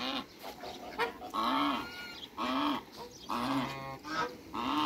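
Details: A pair of African geese in a backyard with other waterbirds: long, nasal, harmonic honks repeated roughly every second, each held for about half a second, with a softer rasping note between them.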